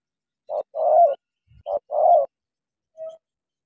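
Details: Spotted dove from Cà Mau, used as a caged decoy against a wild dove. Two phrases of a quick short note and a long rough coo, then one brief faint note, with a soft low bump between.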